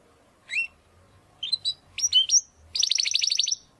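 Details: Belgian canary in a training recording for chicks and adults: scattered high chirps and slurred twitters, then a rapid high trill, over a faint low hum.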